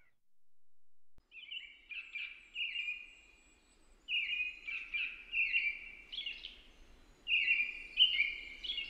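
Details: American robin singing a series of rich, warbling whistled phrases in loose groups, with steady low environmental noise and a faint rumble underneath.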